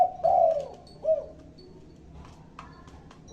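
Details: Spotted dove cooing: a long, low, slightly falling coo followed by a shorter soft coo, then quiet with faint background sounds.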